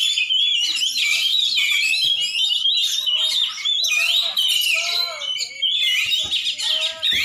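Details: Champion Oriental magpie-robin from Aceh singing a dense, continuous medley of rapid whistles, trills and scratchy chattering notes with quick pitch sweeps, barely pausing throughout.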